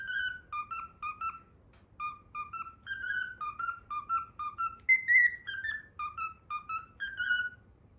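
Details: Learned Pythagora Switch melody whistled by a pet cockatiel: bouncy runs of short pure notes at a steady pitch, a brief pause, then a higher falling note leading into more stepped phrases. Faint low background hum.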